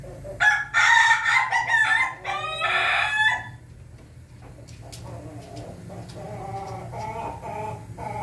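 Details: Ayam Ketawa chicken crowing, 20 May 2024. A choppy run of loud, rapid, staccato syllables sounds like laughter and lasts about three seconds. Softer, broken calls follow in the background.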